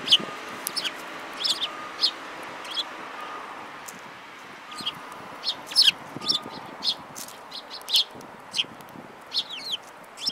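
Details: Sparrows in a group that includes a yellow-beaked bird, February 5, 2018; short bright chirps repeat at irregular intervals of roughly half a second to a second throughout, over a faint low steady hum.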